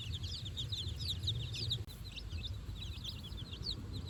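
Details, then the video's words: Four-day-old chicks, out on fresh grass with their mother for the first time, peep without pause, many high, short, upslurred chirps overlapping over a low, steady rumble. "Chicks Chirping Sounds - Baby Chicken Sounds"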